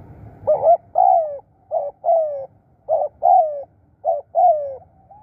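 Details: Spotted dove decoy in the 'krun' calling style, repeating a clear two-part phrase: a short throaty note followed by a longer falling coo. The phrase comes about once a second, four times, in a quiet setting.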